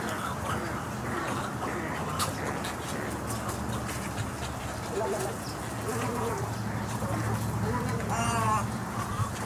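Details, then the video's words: Snowy Egrets on a live wildlife webcam give harsh, guttural, gargling croaks, with a few nasal, wavering calls near the end, over a constant rushing hiss. "Snowy Egrets' funny noises"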